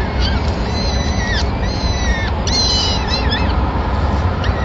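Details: At a Madrid peregrine falcon nest in April 2016, the male arrives with the chicks' first meal of the day, a small bird; several drawn-out, arching harmonic cries sound over constant low rumbling background noise.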